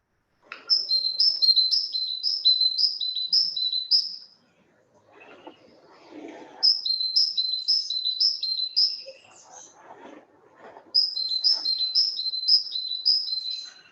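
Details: Great tit singing its very simple "chi chi pang" song: repeated two-note phrases, a high note dropping to a lower one, in three bursts of about six phrases, with faint murmuring between bursts.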